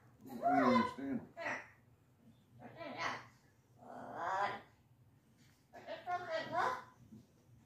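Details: Pet cockatoo venting indoors: garbled, speech-like chattering in five harmonic bursts of about a second each, rising and falling, separated by short silences in a small, quiet room.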